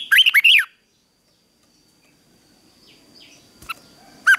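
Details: Red-whiskered bulbul in morning fighting-song training for newly caught birds. One brief phrase of three quick, looping whistles opens, followed by near silence and a couple of faint isolated chirps.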